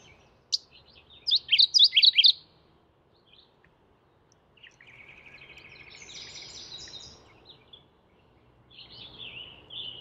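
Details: Mourning warbler calling: one sharp note, then a loud rapid cluster of rolling chirps, followed by a long faint buzzy trill and a softer closing phrase.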